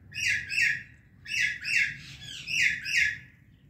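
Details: Indian ringneck and Alexandrine parrots calling loudly in the morning, with grating, harsh notes grouped in twos and threes and short pauses between bursts.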